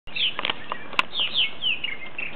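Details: Purple martins coming in for the night, about ten birds at a colony, giving short chirping calls with descending slurs, a sharp click near the middle, and background rustle.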